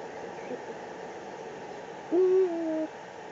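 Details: Eurasian eagle-owl at its breeding site in the Eifel, recorded 4 March 2020; a single smooth, low, slightly falling hoot lasting under a second, after near-silence, over a steady faint hiss.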